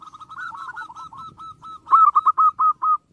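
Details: Zebra dove song meant to rile up rival birds: quick series of bright, clipped coo notes, softer at first, then a louder run of evenly spaced hooting notes, about two per second.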